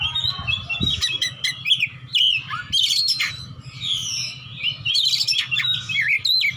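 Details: Oriental magpie-robin, a fighter bird challenging rivals, singing ngeplong-ngeplong: a busy stream of whistles, quick slurred notes and scratchy chips, steady low background hum throughout.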